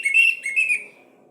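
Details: Orange-headed thrush lure song meant to get quiet birds singing: a short run of bright, slightly wavering whistled notes that fade out after under a second.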